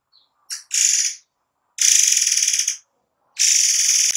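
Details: Shrill, buzzy bursts from a forktail in close rapid-fire delivery, recorded as tutor material for songbirds: three high hissing phrases, the middle one a pulsing trill of about a second, separated by brief silences.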